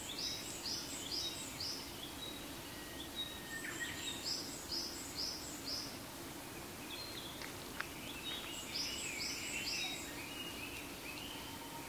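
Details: Chinese hwamei (Garrulax canorus) in Japan on May 2, 2015, apparently gathering nest material in a thicket, gives bursts of four or five bright, high, repeated notes over a steady low rumble.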